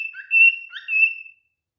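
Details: Male cockatiel in mating behaviour giving a clear, steady whistle held over a second, broken by a brief upward slur, with faint lower notes beneath.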